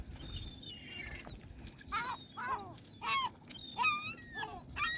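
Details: Seaside gulls give a series of arched, nasal yelping calls, about one every half second, some with a downward slur. Low wash and rumble run underneath.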